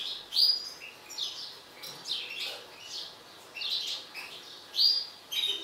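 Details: Mutant European goldfinch, described as agitated, singing in short bursts of bright twittering notes with thin pure whistles, phrases separated by brief pauses over a quiet background.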